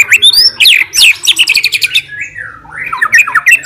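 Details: White-rumped shama, a fighter-type bird singing to challenge and provoke rivals, pouring out fast rising whistles and harsh chattering notes, with a drawn-out falling slur in the middle before the quick phrases return.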